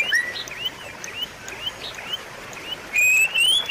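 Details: White-rumped shama song for prompting a quiet shama to sing: mostly soft, repeated rising chirps, then a loud, clear, sustained whistled phrase that climbs slightly toward the end.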